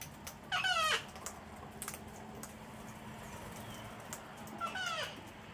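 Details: Wild cockatoos, a whole flock, hand-fed on a deck in Australia in cold wet winter weather; two loud, coarse, descending squawks, one at the start and one near the end, quiet between.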